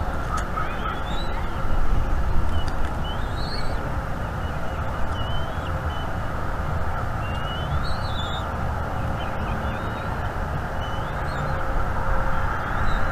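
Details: Wild bald eaglet at a nest in North East Florida, March 2021, begging for food as its father brings fish: a few thin, rising whistled chirps spaced several seconds apart, over constant wind roar.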